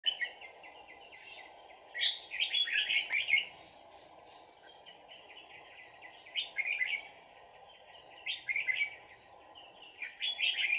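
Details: Red-whiskered bulbul decoy singing at a trapping site on 22 December 2018 to lure wild birds: bright, bubbly warbled phrases in short bursts every few seconds over a steady high hum and low background noise.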